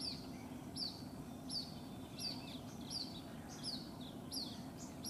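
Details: White-breasted waterhen chick separated from its mother in Rajasthan, India; piercing high peeps with a short downward slur, spaced about two-thirds of a second apart, over soft rumbling ambient noise.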